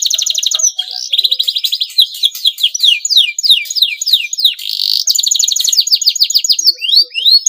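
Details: Male canary in breeding condition, singing to prompt rival canaries into song; continuous loud high song of rapid rattling trills alternating with series of falling whistled sweeps.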